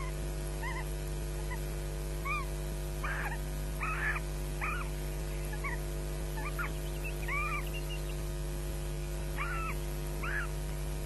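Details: Osprey chicks scrapping in their nest at Loch Garten, 22 May 2012, calling for breakfast; repeated short, arched, shrill squeals in irregular bursts against a steady background hum.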